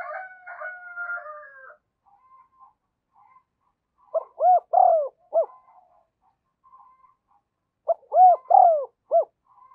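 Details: Decoy spotted dove cooing to lure wild doves in quickly: a drawn-out, wavering opening sound, then two low phrases of four arched, hollow coos, the second phrase about four seconds after the first, with a clean, quiet background.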